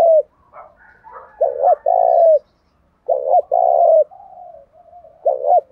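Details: Spotted dove kept as a lure for wild doves, giving repeated low cooing phrases of short paired notes followed by a longer sustained coo, with softer trailing notes and faint higher chirps between.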